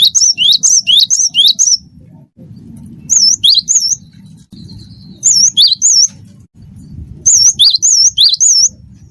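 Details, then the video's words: Cinereous tit of the wingko type in strong song for training other birds: repeated high, curling whistled notes in runs of three to six, with gaps of steady low hum between runs. "gelatik batu wingko gacor masteran burung gacor"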